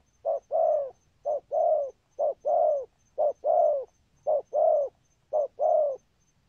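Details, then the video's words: Rhythmic spotted dove thúc gù coos. Short-long pairs of deep, soft notes, each long coo sagging slightly in pitch, repeated six times at near one-second spacing. "Chim Cu Có bài, rước tốt, có thúc gù"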